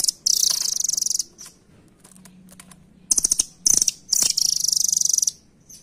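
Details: Velvet-fronted nuthatch (rambatan), described as no longer living wild near the keeper and seen only at bird markets. It delivers long, shrill, fast-ticking trills repeated in several bursts, separated by quieter clicking.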